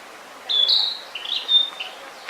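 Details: Song of a narcissus flycatcher at Mount Rokko, Japan: a connected run of high clear whistles and short slurred notes lasting over a second, with faint background noise.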